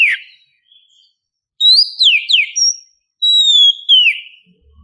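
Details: Morning call of a female oriental magpie-robin in heat for a male: a brief rough note, then after a pause several sweet downward-slurring whistles and a long level whistle falling at its end.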